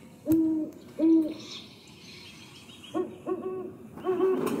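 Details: Great horned owl recording played back indoors, low soft hoots, two evenly spaced then a quicker cluster of three, with faint background hiss and a brief higher sound between.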